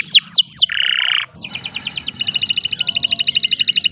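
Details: Canary song recorded as a training model for other birds: a few descending whistled swoops, then a buzzy trill, a short pause, and a long run of rapid repeated high notes.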